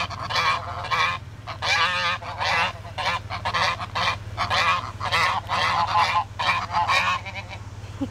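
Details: A roving band of geese blocking a neighborhood road, coming after a car: loud harsh honks in rapid bursts, several birds calling over one another throughout, with a steady low engine hum underneath.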